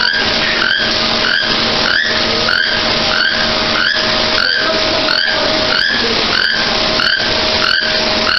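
A toucan gives short, rising, squeaky yelps, repeated steadily about every two-thirds of a second, over a loud constant hiss and a low steady hum.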